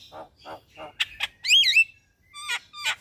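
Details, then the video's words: Javan myna singing in the morning, a master recording for training caged birds: low throaty notes, then sharp high chirps and a loud twisting whistled phrase, followed by two buzzy rising squeaks. "Jalak Kebo Gacor Mnggut manggut pas Buat Masteran Jalak Pagi Hari"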